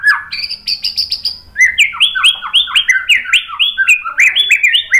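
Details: White-rumped shama song used as a lure to provoke other shamas into singing: a sustained buzzy trill with sharp ticks, then a fast run of slurred, down-sweeping whistled notes, roughly three per second, mixed with crisp clicks.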